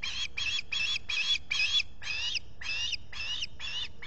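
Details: Nesting osprey on a solar-powered camera at Salt Point, Finger Lakes, USA, 23 July 2021, with a visitor at the nest. Insistent, shrill chirps repeat steadily, roughly two to three per second, throughout.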